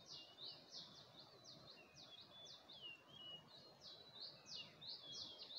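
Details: Dawn bird song from Gulmit in Hunza, looking toward the Passu cones: quick high chirps about three per second, mixed with a few lower, drawn-out whistled notes, over gentle environmental noise.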